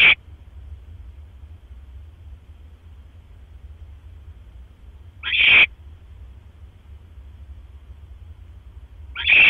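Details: Night-time barn owl nest, 1:09 AM on 12 October 2015, with the male delivering prey; short harsh hissing screeches spaced about five seconds apart, long silences between, low background hum.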